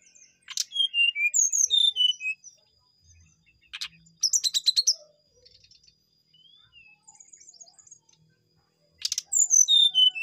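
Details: Brown-chested jungle flycatcher singing vigorously: bursts of clear whistled notes that step downward in pitch, separated by short pauses, with scattered chirps and a faint steady high tone behind.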